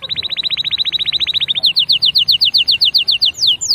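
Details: Canary singing a fast trill of short, even notes for about a second and a half, then switching to slower, clear downward-slurred whistles repeated around eight times per second.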